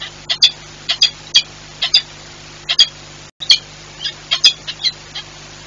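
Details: Peregrine falcon of the Werwa and Rafik pair at Orlen Płock, 7 March 2022, giving harsh, grating kak alarm notes, singly or in quick pairs, about once a second, over a faint low electrical hum; a possible intruder near the chimneys was not seen.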